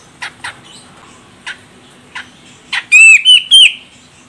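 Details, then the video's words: Female grey-cheeked bulbul of Medan, Sumatra calls to spur a male to sing: a few scattered soft raspy notes, then three loud whistled notes with wavering, slurred rising and falling shapes. "Cucak Jenggot Medan Betina Ini Bikin CJM Jantan langsung Koar Koar"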